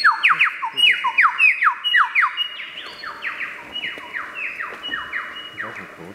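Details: Lyrebird mimicry: a long rapid series of downward-sweeping whistled notes, almost laser-like, repeated over and over and gradually fading in loudness.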